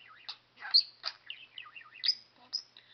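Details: Talking pet budgerigar chattering indoors, a string of high, fast warbled notes with looping whistled slides and sharp clicks, about six bursts in three seconds.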